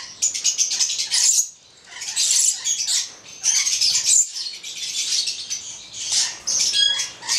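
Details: Harsh, high-pitched screeching from a pair of Charmosyna papou goliathina lorikeets, the male red and the female black, delivered in loud bursts about a second long separated by quieter gaps.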